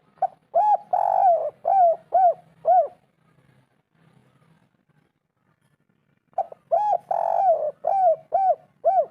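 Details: Spotted dove 'kuk 3' call for prompting birds to call: two bursts of cooing separated by about three seconds of near silence, each a long coo followed by four quick arched coos.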